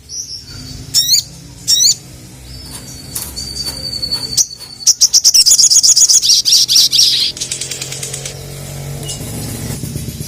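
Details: A sogon, the ruby-cheeked sunbird, calling to rivals: a few upslurred squeaks, a long thin steady whistle, then a fast rhythmic run of high ticking notes about four per second.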